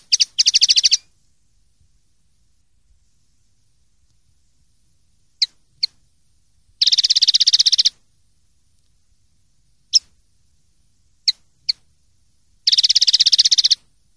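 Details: Common linnet singing clean-style song (pardillo limpio) from a 2023/2024 silvestrismo song collection: three bursts of rapid, buzzy, high trills about a second long, separated by scattered single and paired sharp chips, with a quiet background.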